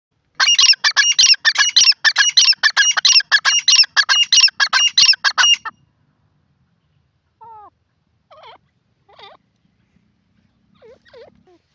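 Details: Francolin, called teetar, giving a loud harsh rhythmic series of about a dozen ringing, grating phrases over five seconds, followed by quieter scattered short notes after a pause.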